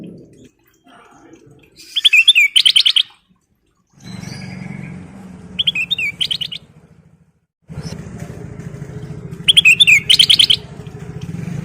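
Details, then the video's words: Sooty-headed bulbul singing actively, played as a lure: three bursts of bright, tumbling whistled phrases about four seconds apart, each preceded by a low humming rumble like an engine. "Burung Kutilang Emas Gacor full isian/Pancingan Kutilang Gacor"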